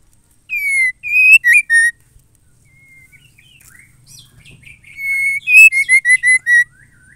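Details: Female white-rumped shama calling a male: two bursts of loud, clear whistled notes separated by soft faint chirps. The first burst has four notes, one with a sharp upward flick. The second is a quicker descending series of about six notes.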